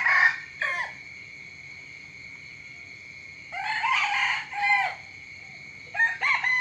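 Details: Morning crowing of a rooster: the tail of one crow, then a long gap, then a full, strained crow with a falling end, and the start of another. A constant shrill insect hum continues throughout.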